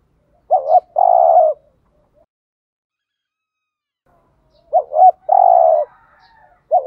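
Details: Spotted dove in 'thúc gù' style, a coo used to lure wild doves. Phrases of a looping double note and a held low tone, spaced about four seconds apart, with a third just starting at the end.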